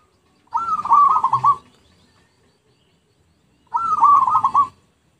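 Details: Lure recording of a zebra dove: two rippling, gently stuttering coo phrases about a second long, separated by roughly two seconds of silence.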